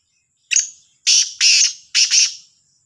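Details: In the morning, a black francolin gives its harsh, grating call: a short opening note, then two loud rasping notes and a closing double note, all high and scratchy. No other sounds.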